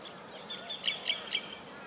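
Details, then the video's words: Superb fairywren, 1 September 2011: three sharp, high chirps about a quarter second apart, bright and thin, set against constant background hiss. "Superb Fairy-Wren"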